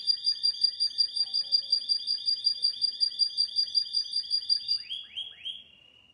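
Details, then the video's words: Canary from Pakistan delivering a long, steady trill of quickly repeated syllables, about three per second, closing with a few downslurred whistled notes that fade out. "Pakistan canary"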